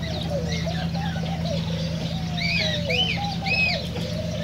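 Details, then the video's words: Cockatiels, in a sound played to stimulate them to sing and mate: clear rising-and-falling whistles in the upper range, several arcs repeated near the end, over lower wavering tones from other birds and a steady low hum. "تغريد كوكتيل"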